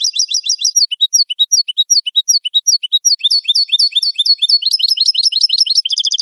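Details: European goldfinch singing on a clean recording intended for educating captive birds: high liquid twitters alternating with spaced upslurred chirps, then a denser buzzy, tinkling passage, with no background noise.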